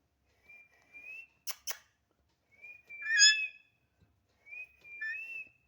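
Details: Talking pet parrot, described as very chatty, gives three drawn-out whistled notes, each rising slightly and ending in a warbling flourish, with two sharp clicks between the first and second notes.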